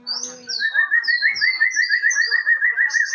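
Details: Male white-rumped shama singing: a steady train of short, clear whistled notes repeated about three times a second, with higher sliding whistles above.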